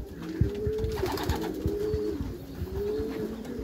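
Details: Backyard loft of Meulemans racing pigeons: low rolling coos that rise and fall, about three drawn-out phrases spaced through the clip, with soft knocking and shuffling noises beneath.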